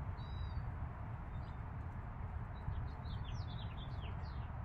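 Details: Chicks five days old beside a mother hen: one longer thin whistle early, then a run of quick high descending peeps in the second half, under constant low droning noise.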